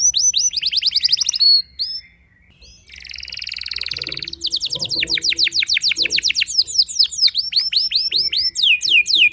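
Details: Canary singing to provoke rival canaries, mixing rapid trills, a brief pause, a buzzy rattling passage and long runs of quick sweeping notes repeated several times a second.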